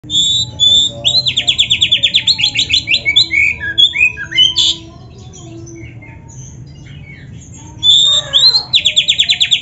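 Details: Black-breasted oriental magpie-robin (kacer) singing vigorously, its song full of canary-style fills, meant to provoke other birds: fast high buzzy trills repeated about twice a second, sliding whistles, a quiet pause, then the trilling resumes.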